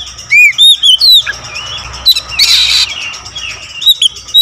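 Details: Oriental magpie-robin song full of variation, with clear downslurred and upslurred whistles, a short harsh buzzy burst in the middle, and further bright whistled notes.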